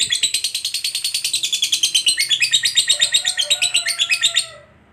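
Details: Lovebird of the fighter type giving its long ngekek chatter, used as a lure to get other lovebirds singing: a fast run of harsh, buzzy, high pulses about four seconds long, with a fainter lower whistle near the end, then silence.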